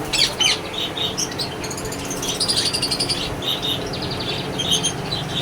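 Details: Several yellow ringneck (rose-ringed) parakeets chatter with sharp, high chirps and a quick run of repeated squeaky notes near the middle, calling over one another.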